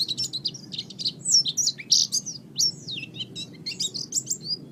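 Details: Master training recording of an oriental white-eye kept as a pet. Dense, jumbled high chirps and warbled slurs come in quick succession, some louder swooping notes midway, with steady low background hum.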